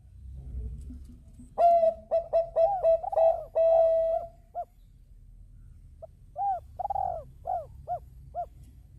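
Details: {'caption': 'Zebra dove of the Bangkok type in full song, luring other birds to sing along. A burst of loud, rolling, buzzy coos comes first, then a pause, then a farther bird replies with a string of arched, bouncing coo notes.'}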